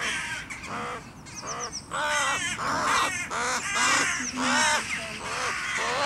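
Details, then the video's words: A crow fighting off a goshawk that grips it with its talons gives harsh, hoarse caws in rapid irregular bursts, several overlapping, over a steady background hiss. "Krähe kämpft gegen Habicht"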